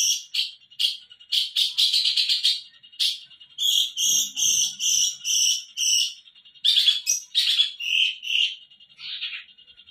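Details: Long-tailed shrike song used as a training recording for captive birds: high chirps and short whistled notes in quick runs, then a series of evenly spaced piping notes, with varied phrases between brief pauses.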